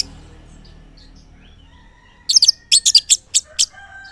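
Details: Orange-headed thrush singing in the morning, played as a lure to get silent males to answer; after a quiet start, a quick burst of high, sharp, varied chirps and buzzy notes, with faint low hum beneath.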